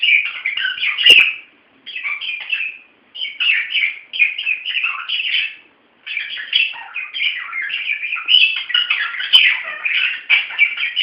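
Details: Pet budgies acting up during play, bursts of rapid scratchy warbling and chirps broken by short pauses, several birds chattering at once.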